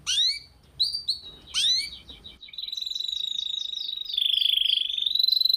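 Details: Canary song from a master recording for training young canaries. Short sweeping whistled phrases separated by pauses, followed by a long even rolling trill that drops slightly and then rises again.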